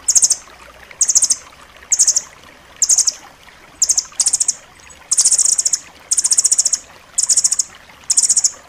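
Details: Dense, sharp rambatan loreng nuthatch song for tutoring pet birds: evenly spaced bursts of quick, very high, ringing trills, about one each second, some longer toward the end.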